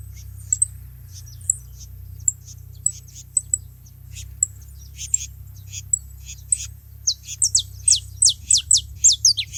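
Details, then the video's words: Several saffron finches calling together at a feeding place; scattered thin high ticks give way to a fast run of bright downward-sweeping chirps near the end, with a constant low drone beneath. "Canário da terra junto fazendo barulho na seva"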